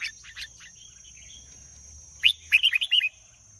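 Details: Red-whiskered bulbul begins with faint notes, then launches into a loud cluster of quick, rolling warbled chirps, with a steady thin whine throughout.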